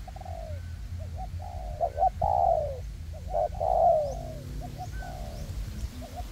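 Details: Two captive spotted dove decoys used for trapping, tested in a forest to lure wild doves in windy weather. Repeated soft low coos alternate with louder drawn-out rolling phrases. Constant low wind noise sits underneath.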